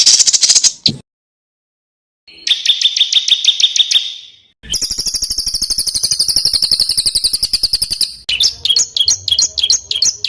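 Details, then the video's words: Rough 'tembakan' song of a small bird, used as master training audio for contest birds: a harsh burst, a pause, then a fast ticking trill over a steady whistle, a long rapid chattering series, and quick high rising chirps. "SUARA BURUNG KECIL TEMBAKAN KASAR"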